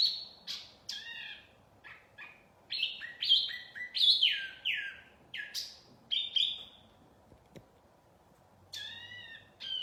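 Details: Wambi mini lure song, lively and varied: scattered high chirps building into dense bursts of swept whistles and trills, tapering to occasional notes near the end.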